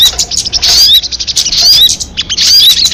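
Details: Crested jay call: noisy high chatter with bright rising whistles, three main bursts in quick succession.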